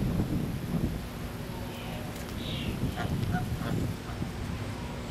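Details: Geese at a resort, giving short nasal honks with stacked overtones scattered through the middle of the recording, partly masked by a steady low rumble of background noise.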